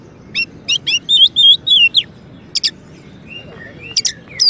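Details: Oriental magpie-robin, a champion bird, with song used as a master to train white-rumped shamas: sharp doubled chips, then a fast burst of whistled notes, falling quiet before scattered high chips and a short rising whistle.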